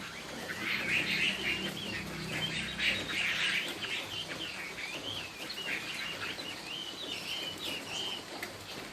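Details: Chinese hwamei singing in the style called "cao cầu", a straight song: a run of short, quick upslurred whistled notes repeated several times a second, fairly faint against steady background hiss and low rumble.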